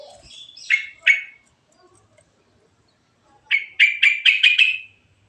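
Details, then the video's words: Yellow-vented bulbul giving a natural rolling song with varied phrases, used as a lure: two bright chirped notes, a pause, then a quick run of five loud, slightly rising chirps. "Suara Burung Trucuk Alami Ngerol Isian Variasi"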